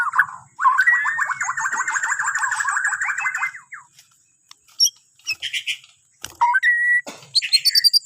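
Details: Morning song of a Borneo white-rumped shama, used to draw other birds into singing: a long rapid trilled run of repeated notes for about three seconds, a gap, then scattered high chips, a clear flat whistle and sharp buzzy notes.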